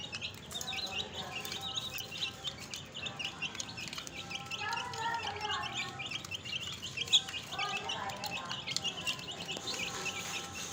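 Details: A flock of recently added chicks chirps. High, shrill peeps pour out in overlapping runs, joined by some lower, softer cheeps in the middle.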